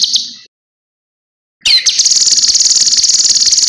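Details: Cucak kinoi master-recording song used to teach other birds: a brief high trill cuts off, silence follows, then a sharp rising note leads into a steady, rapid, shrill pulsed trill.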